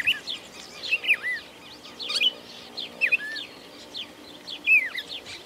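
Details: Red-crested cardinal (Paroaria coronata) song in a rural farming area of Argentina: bright, whistled, slurred notes in quick bursts about once a second, with other soft chirps in the background.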